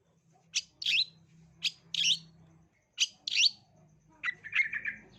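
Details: Long-tailed shrike used as a singing lure for young shrikes. Paired harsh, scratchy notes repeat about every second, then a rapid warbling trill closes the phrase, over a faint low hum.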